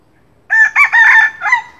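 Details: Junglefowl, hailed as the king of the junglefowl, giving a morning lure crow: a quick, loud, four-part cock-a-doodle phrase. A short note, a second burst and a long, harsh middle note lead to a lower, fading final syllable over near silence.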